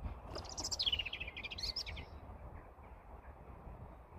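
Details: A robin's spring song: one short, high, thin warbled phrase sweeping downward then trilling briefly, over a steady low rumble of wind or distant traffic.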